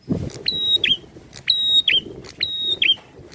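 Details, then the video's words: Prinia singing energetically in an aggressive, challenging mood: three repeated phrases, each a sharp upward flick into a long, high, steady whistle, then a slurred falling note, about one per second, over faint low background noise. "PRENJAK GACOR NARUNG"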